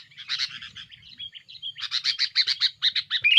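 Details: Sooty-headed bulbul's noisy rival-pressuring song, used as a lure: softer mixed twittering and short whistles, then a louder run of evenly spaced harsh chattering notes ending in a sharp whistle.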